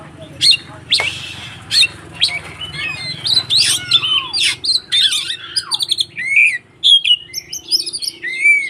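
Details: White-rumped shama fighting song, used to provoke other shamas: sharp loud clicks and harsh downslurred notes, then quick runs of ticking notes and clear whistled slurs toward the end.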